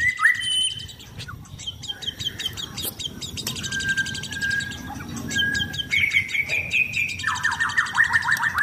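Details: A caged, sunbathing white-rumped shama, blorok type kept for contests, sings a long complex phrase with rapid repeated chips, steady whistled tones and a fast rattling trill at the end.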